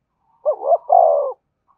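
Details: Single spotted dove cooing phrase for luring wild doves: a short rising note, a second curving note, then a sustained low coo about one second long.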